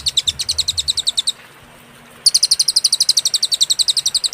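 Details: Cililin song from a master recording for tutoring songbirds, described as clear and with pauses: rapid, evenly spaced, very high sharp notes about seven per second, a silent break of about one second, then the trill resumes.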